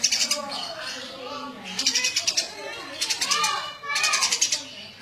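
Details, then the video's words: Eurasian tree sparrow chattering vigorously in gacor style: repeated clusters of fast, shrill chirps separated by brief pauses, with faint murmuring lower sounds underneath. "Suara burung gereja gacor"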